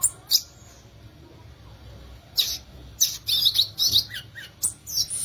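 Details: Violaceous euphonia, or guriatã, with a couple of sharp high notes, a quiet pause, then a rapid cluster of squeaky chips and short whistled slurs.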